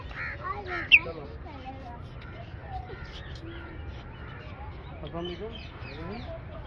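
An African grey parrot gives a run of varied whistles, chatters and squawks, with one sharp loud whistle early on and busy rising and falling notes throughout.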